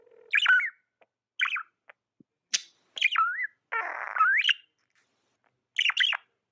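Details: Tame pet budgerigar chirping: short bright chirps with quick rising and falling twists, about one every second, separated by silent gaps, plus one brief raspy note near the middle.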